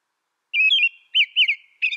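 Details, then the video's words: Brief burst of American robin song: a longer whistled warble, then two quick rounded caroling notes, and the start of another phrase, all clear against silence. "American Robin Bird Song Sound"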